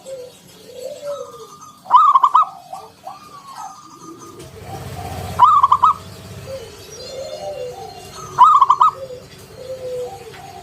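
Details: Local zebra dove in ngalun style with a round kung note, used as a lure to draw other doves into song. Three bursts of quick, pulsed, staccato cooing come about every three seconds between softer, lower, arching coo notes and a low background rumble.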